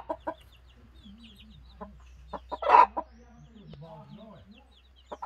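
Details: Broody hen making scattered soft clucks and low, drawn-out murmuring notes with long gaps between them, broken by one louder, harsher burst midway, over a steady low hum.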